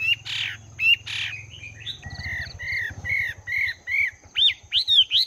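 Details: Caged Chinese hwamei of two months, morning song practice: harsh squawky bursts, then a steady row of even arched whistles about every half second, ending in higher rising notes, with a low pulsing hum.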